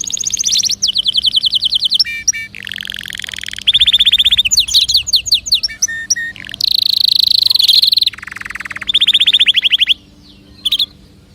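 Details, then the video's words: Canary singing, played to encourage other birds to sing: loud, varied phrases of rapid trills, rattling buzzes and sustained high rolls, changing every second or two with brief pauses. "تغريد كناري يحفز طيورك على الغناء"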